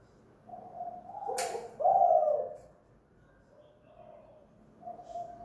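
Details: A spotted dove kept at home as a decoy coos in 'kuk gantung' style: a low hoot, a loud rolling coo, then softer trailing hoots, with a sharp knock partway through.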